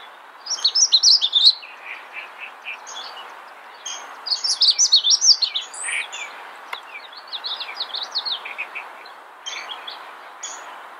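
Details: Magnolia Warbler (Setophaga magnolia) in the wild giving short, high, sweet warbled phrases about a second long, with quieter high chips and twitters from other birds between them.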